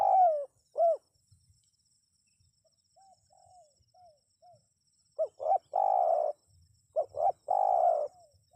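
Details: Spotted dove call meant to attract responding wild birds. Low arched hoots and a few soft, faint coos lead into two full phrases, each with two quick hooted notes and a sustained, grainy, steady coo.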